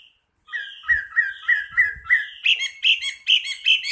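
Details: Champion Chinese hwamei giving a sequence of repeated rising whistled notes, about three a second, followed by a faster run of rich, ringing, slightly harsh phrases.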